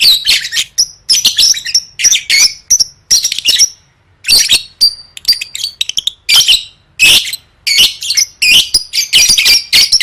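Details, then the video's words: Lovebird being trained for singing contests, long runs of fast, scratchy high-pitched chatter and squawks in repeated bursts, one short silent pause midway, then renewed rapid chattering. "Suara Burung Lovebird III Latihan Gacor Gantang Siap Juara"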